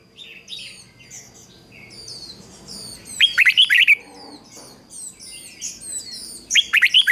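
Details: Red-whiskered bulbul used as a decoy, singing to call in wild birds: two loud, rapid warbled phrases of rising and falling notes, set among many thin, high, repeated chirps from other birds.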